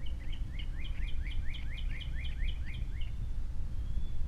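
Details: Nesting osprey on Captiva, parent with three chicks, February 2022: quick repeated chirps, each a sharp falling whistle, about four per second for three seconds, over a heavy low background rumble.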